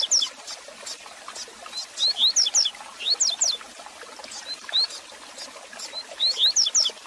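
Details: Double-collared seedeater song intended to warm up a caged bird: brisk phrases of high, sharp slurred whistles, each several quick notes, recurring about every two seconds over background hiss and clicks.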